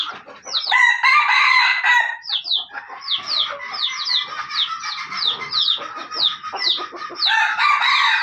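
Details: Junglefowl in Aceh, recorded during a luring session: harsh, harmonic crowing bursts at the start and end, with a dense run of quick, high, downward-sliding chirps repeated rapidly between them.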